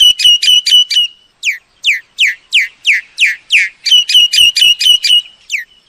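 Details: Myna calls meant to draw birds into traps: bursts of sharp whistled notes alternating with a long sequence of clear falling whistles spaced about every third of a second.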